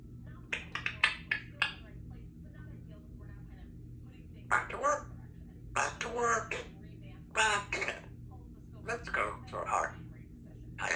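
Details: A three-year-old female Congo African grey parrot talks indoors at home in short bursts of clipped, speech-like syllables with clicks and whistled squeaks between them, over a steady low hum; nearby phrases include "give me a kiss" and "back to work".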